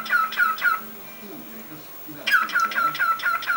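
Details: Pet cockatiel kept at home giving short, bright, down-slurred chirps in quick series, then a brief pause filled by low human voices before another run of the same chirps.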